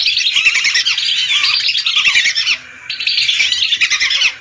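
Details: Hundreds of lesser whistling ducks calling together, a recording meant as a bird lure: dense, overlapping high whistled chatter that runs steadily, drops out briefly near the middle, then resumes just as thick.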